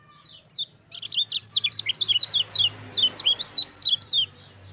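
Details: Lemon-bellied white-eye, kept as a cage bird, singing as a master song to stir other white-eyes into singing: a fast run of high, sharp chirped notes, repeated quickly with little pause, over a faint low hum.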